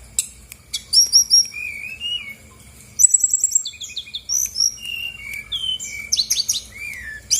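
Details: Lure song from a female brown-chested jungle flycatcher of Bali stock, meant to provoke reluctant birds to sing. High whistles and slurred notes, then a quick run of sharp, evenly repeated ticks and further varied phrases.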